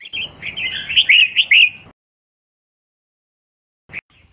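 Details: Female red-whiskered bulbul calling to stimulate males to sing. A single lively phrase of slurred, rising-and-falling chirps lasts about two seconds and ends with a few emphatic notes, then silence and one short chirp.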